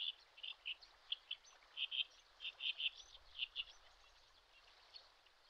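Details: Common sandpiper parent at a riverbank in the Shin'etsu region of Japan in late May, watching over its active chicks: faint, high, thin peeping notes given in irregular pairs and short runs over steady river noise.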